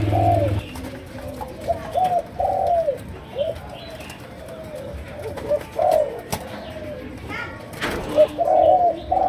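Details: Malaysian-strain spotted dove cooing in chiêu gù, sấm đồng style. Soft, rounded coos come in short bursts separated by quiet gaps, with a brief low thump at the start and a sharp click near the end.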